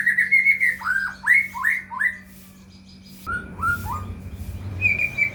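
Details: White-rumped shama song used as a lure for caged shamas: varied whistled phrases, repeated down-slurred notes, brief lull, then more descending whistles and a high trill, with low rumbling noise midway.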